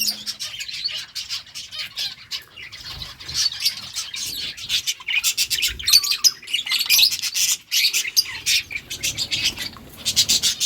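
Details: Flock of budgerigars in steady chirping chatter: continuous high twittering and warbling notes overlapping throughout, with rapid clicking bursts.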